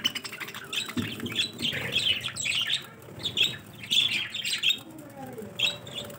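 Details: Several budgerigars chatter in quick bursts of scratchy, high chirps and warbles, calling over each other while fighting at eating time and singing.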